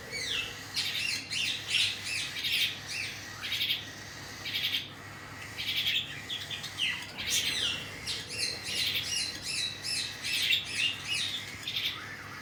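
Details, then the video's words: Cockatiel chicks beg loudly while their parents feed them: dense, scratchy, buzzing chatter in long pulsing runs with short pauses, rising and falling in strength. "Cocktail Parrot Feeding Their Chicks"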